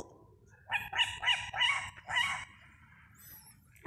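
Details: An owl calling from hidden in tree leaves on 3 June 2025, first unrecognised as an owl, gives a quick run of five hoarse, nasal squealing notes over about two seconds, with a low background rumble.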